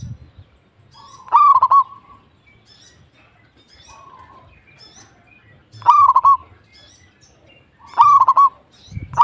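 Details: A frequently singing local zebra dove gives three loud rolling phrases of quick coos, spaced several seconds apart. Softer bird notes sound in between, over a low background hum.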